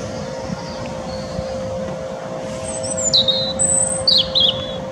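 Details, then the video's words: European robin singing at Teddington Lock, UK, filmed handheld with a Nikon P900 in wind; thin, high, sliding notes appear in short phrases midway, over constant wind rush, a steady hum and passing traffic. "European Robin (Erithacus rubecula) Song"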